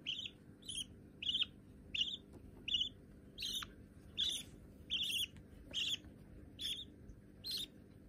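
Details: Young hand-tame budgerigars, said to be white, repeat sharp raspy chirps more than once a second, some louder and fuller than others, over a quiet indoor hum.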